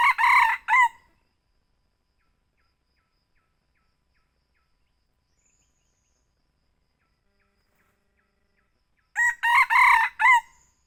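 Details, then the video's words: Young red junglefowl lure call used for hunting near Selang 2, Bukittinggi: two short bursts of harsh, segmented crowing with strong harmonic bands, one at the start and one near the end, separated by long silence. "Ayam hutan muda buru suara pikat"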